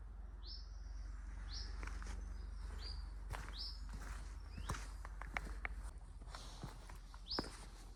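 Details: Common chiffchaff giving a string of short, rising 'hweet' calls about one a second, varying its call, in secondary sycamore woodland with maple coming into leaf, Palham Woods, Isle of Wight Undercliff, 16 April; footsteps and low rumble.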